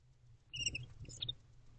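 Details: Bonded pair of wild barn owls together in a nest box at night in late October, a courtship time: a short burst of high chittering, squeaky notes lasting under a second over faint low background hum.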